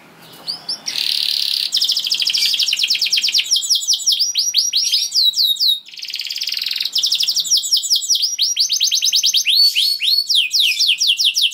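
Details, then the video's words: Caged canary singing long continuous gacor song: dense rolling trills and rapid repeated chirps, steady and loud throughout with brief changes between trill types and a short pause near six seconds. "Kenari Kondisi Apapun Akan Langsung Respon Bunyi Gacor Panjang"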